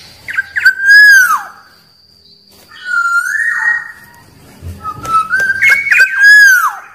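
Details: Wild Black-naped oriole song, used to provoke rival orioles: three loud fluty phrases, each opening with liquid notes and gliding into a drawn-out whistle that sinks at the end, separated by short pauses; a faint steady high tone present.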